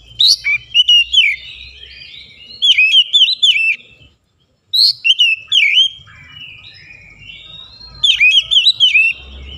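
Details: Oriental magpie-robin in morning sunlight pouring out rapid, varied whistled phrases with sharp chirps and downslurred notes, phrases of about a second repeated after brief gaps, one near-silent break midway, faint low rumble in the background.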